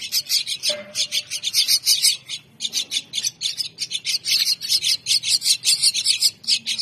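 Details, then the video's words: Several mynah chicks beg at feeding time with an unbroken chorus of scratchy, high chirps, quickly repeated at roughly four per second, and a brief low tone just before one second. "Cute Mynah Chicks Feeding time#メイナのひよこはとても空腹に見える"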